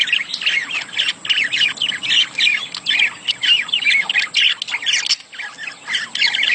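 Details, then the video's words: Budgerigar mating chatter, meant to stimulate egg laying: a steady stream of nasal, warbling squeaks and chirps in quick succession. A brief dip occurs near the end before the chattering resumes. "خلي انثي البادجي تبيض بسرعه.اصوات التزاوج للتحفيز"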